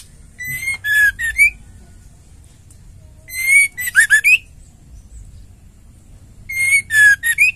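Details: Female white-rumped shama heard as a stimulus to get male shamas singing: three repeats, about three seconds apart, of a phrase with a whistled note, a downward slur, rapid buzzy notes and a rising final whistle.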